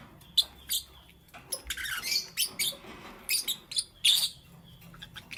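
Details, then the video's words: Green, yellow and lutino lovebirds chirping in the morning: thin, squeaky high chirps and short shrill bursts, coming in quick irregular succession over faint background hiss. "Lovebird Chirping Sounds"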